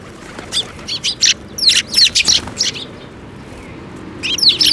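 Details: A group of sparrows arriving at a shrine bridge for food on 5 May 2024, giving quick clusters of bright, high-pitched chirps, busy in the first half, a brief lull, then another flurry of calls.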